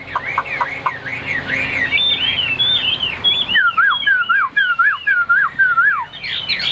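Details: Caged Chinese hwamei with white wings and white tail, clinging to its cage and singing high: loud, varied whistled phrases, then a run of looping, down-slurred whistles repeated about twice a second, with faint human voices behind.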